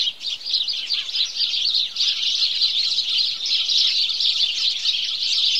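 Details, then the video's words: Morning chorus from house sparrows, starting a touch quieter then swelling into thick, continuous high-pitched chirping from numerous birds calling over one another. "Morning Chorus Of House Sparrow"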